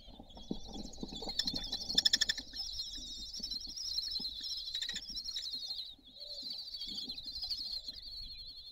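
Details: Kestrels of a nesting family feeding on their balcony at Théding, France, June 2022: dense, high, quavering calls pour out steadily, broken by a burst of sharp rapid knocking near the start and a short pause midway.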